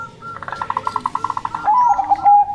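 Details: Female local Zebra dove of the Bangkok type, kept caged, delivering a quick train of short, soft, evenly spaced cooing pulses, about ten in a second, ending in a longer, wavering low note.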